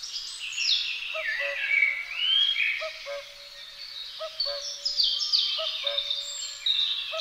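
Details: Great spotted woodpeckers, a pair with their young: busy, high, rasping chatter with some sliding notes fills the clip, and a low paired hoot from another bird sounds roughly every one and a half seconds.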